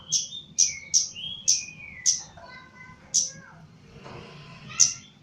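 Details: Javan Chestnut-capped laughingthrush, kept in a cage for training: a run of sharp high chirps with lower sliding whistles, then a pause filled with softer warbled notes and a final chirp.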